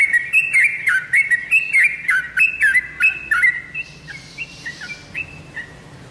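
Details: Tame sooty-headed bulbul singing energetically: a run of bubbly, whistled phrases around mid pitch, each with quick rising and falling notes, repeated about every half second, fading softer toward the end.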